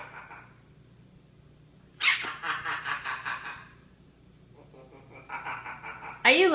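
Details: Two-year-old female pet hyacinth macaw talking and making silly noises indoors, with other birds in the background; a short mumbled phrase, then a burst of rapid laugh-like pulses, a pause, and a louder harsh squawk at the end.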